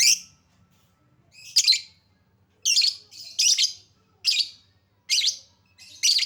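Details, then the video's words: Lovebird calling, played as a lure to get silent lovebirds singing: loud, piercing, rasping shrieks in short bursts, repeated roughly every second, some doubled, against a quiet background. "Lovebird Susah bunyi Pancing Dengan Suara pancingan Lovebird ini, Pasti bakal langsung Respon Cepat"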